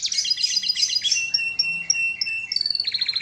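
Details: Canary song: quick chattering trills leading into spaced clear whistled notes, then a rapid high rolling trill at the end.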